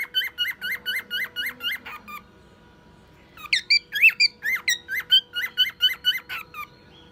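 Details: Male cockatiel, one year old, a pet copying a car alarm among other sounds. A rapid, evenly spaced string of rising whistled notes stops briefly, then resumes as a louder, higher, more jumbled series.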